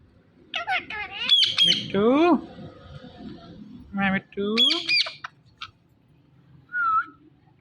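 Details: Pet Indian ringneck parakeet talking: harsh, nasal word-like phrases with sliding harmonic tones in several bursts, separated by short pauses, ending with a single short squeaky note.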